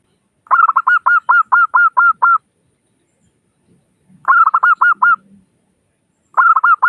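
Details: Local Zebra dove calling to lure other doves into calling: rapid bursts of short, bubbling coo notes, about eight in the first series, then shorter repeated bursts after pauses, nothing else heard.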